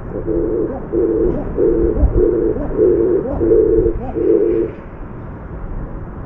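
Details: Oriental Turtle Dove visiting an apartment balcony gives low, hollow cooing notes in a steady run of about six phrases over five seconds, with faint background hum.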